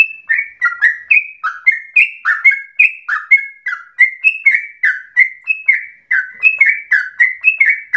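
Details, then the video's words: Trucukan, the sooty-headed bulbul, singing gacor with a long ropel said to sound like a straw-headed bulbul: a rapid, unbroken run of short, bright whistled notes, steadily repeated and rising and falling in pitch. "Trucukan gacor ropel panjang narung suara berasa cucak Rowo"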